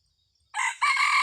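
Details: Red junglefowl used in decoy trapping, recorded 30 October 2023: a loud, harsh crow begins after a short silence, with a brief first note and then a rough, sustained second note that is cut off after about a second.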